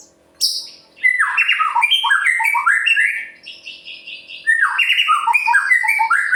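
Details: White-rumped shama song meant to stir other birds into singing: a loud, continuous flow of rich, varied whistles and squawky chattering notes, stepping up and down in pitch, with a short dip before a second burst.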